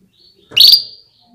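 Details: A single call from a female canary encouraging males to sing: a piercing chirp sweeping down and trailing into a short, level whistle.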